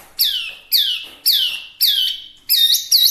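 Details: Wambi mini, a small Chinese hwamei, giving loud rich downslurred whistles, four alike at roughly two-thirds of a second apart, then two shorter looping notes.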